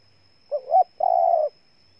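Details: One phrase from a spotted dove in Ninh Thuận, Vietnam: a brief rising two-part note, a short pause, then a long, even, low coo lasting about half a second. A faint electronic whine runs underneath.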